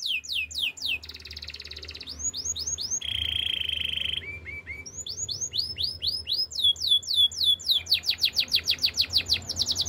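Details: Canary song meant for training young singers: rapid rolling tours of repeated down-slurred whistles alternating with sustained buzzy trills and a steady mid-pitched roll, phrases changing every second or two, with faint low hum beneath.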